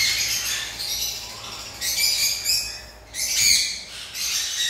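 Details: Lovebirds kept at a bird farm give loud, rasping squawks and shrill chatter in repeated bursts about a second long, several birds overlapping, with steady background hiss between bursts.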